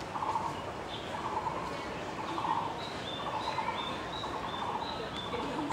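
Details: Taiwan barbet calling in a botanical garden behind a sleeping cat: low hollow trilled notes given in short bursts about once a second, with faint higher bird chirps and steady background hum.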